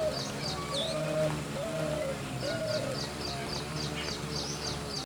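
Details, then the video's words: Spotted Dove giving soft, low, slightly arched cooing notes about one per second, under repeated high, sharp chirps from small birds and a low background rumble. "फाक्ता पक्षी की आवाज/Calls of Spotted Dove"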